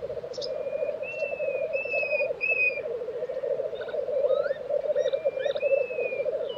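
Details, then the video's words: At a black grouse lek in Tiveden, Sweden, in April 2023, the low bubbling chorus runs steadily beneath drawn-out high whistles and a few rising chirps from other birds. "Black Grouse Lek - sound recording"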